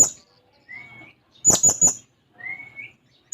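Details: Blue-crowned hanging parrot seeking a rival, giving two brief rising whistled slurs around a quick burst of three piercing, very high shrill notes.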